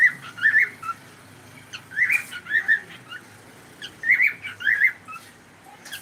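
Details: Cockatiel kept as a pet making clusters of short whistled chirps, three bursts of two or three notes spaced about two seconds apart, over low background hiss.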